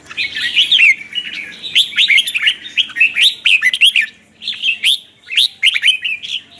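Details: Red-whiskered bulbul morning song for training birds, twisted-voice style with chattering to excite new birds: rapid phrases of twisting, slurred whistles in quick succession, split by short pauses.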